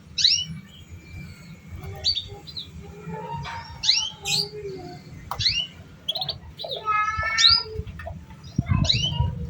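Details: Lure song used to get young canaries singing: repeated high, sharply rising chirps every second or so, interspersed with lower whistles and a brief rapid trill, a soft low hum behind.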